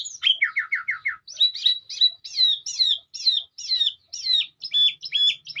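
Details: Melodious song of a sooty-headed bulbul: a fast trill of four falling notes, then a steady series of rich slurred phrases roughly two per second, ending in short clipped whistles.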